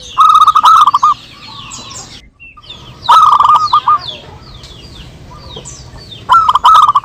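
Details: Three short bursts of rapid, rolling coos from local zebra doves calling back and forth in a lure recording, separated by quieter spells filled with sliding whistles and chirps from other birds.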